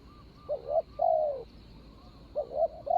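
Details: Spotted dove cooing as a ground decoy to lure a rival, 24 January 2565 (Thai calendar). A doubled coo and a long falling coo, then a pause, then the phrase begins again. Only faint background hiss is heard.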